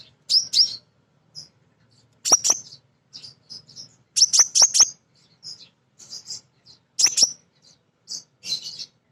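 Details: A female crimson sunbird calls for males, a sound used to prompt raw birds to sing. High, sharp chirps come in clusters of two to four about every two seconds, with short soft notes between them and silent gaps.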